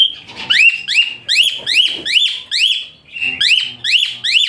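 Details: Asian pied starling song meant as a tutor recording for fighter songbirds: rapid series of shrill, rising-then-falling whistled notes, roughly one per second or faster, with raspy harmonics throughout.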